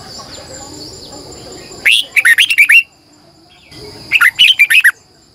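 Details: Red-whiskered bulbul lure bird singing a long, intense double twisted song in the morning, meant to provoke other bulbuls: two quick bursts of loud, clear whistled and warbled notes, each about a second long, after low background hiss.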